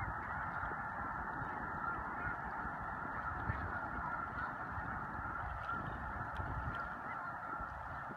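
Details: Migrating snow geese gathered at Choteau, Montana, in March 2015, a huge flock calling at once; an unbroken wall of overlapping honking yelps, steady throughout, over low-frequency rumble.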